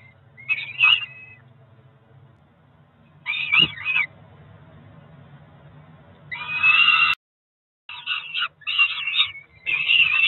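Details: Cromer nest cam, June 2023: two peregrine falcon chicks about four weeks old keep calling through their breakfast feed, with scattered harsh wails in clusters several seconds apart and quiet stretches between.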